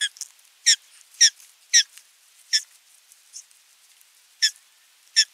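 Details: Osprey at a nest in Finland, nest 3, 27 June 2022, during a fish delivery: loud, harsh, squeaky chips repeated about twice a second, with short breaks between.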